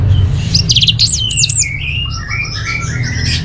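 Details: Orange-headed thrush. A loud cluster of high, sharp, twisting notes comes early, followed by softer, descending whistled phrases.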